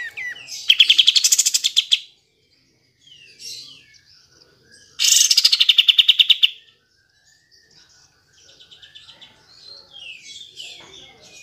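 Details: Caged Sooty-headed Bulbul singing to provoke reluctant birds: two loud rapid trills, each beginning with a rising sweep and pulsing about a dozen times, separated by short soft chirps, with quieter twittering at the end.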